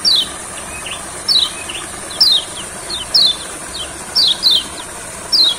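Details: Olive-backed sunbird, out in a rice field to stir a quiet bird into song. It gives high, quick down-slurred whistles, singly or in pairs, about once a second, over a continuous faint hiss.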